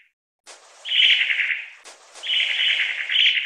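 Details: Long-tailed tit (Aegithalos caudatus), call.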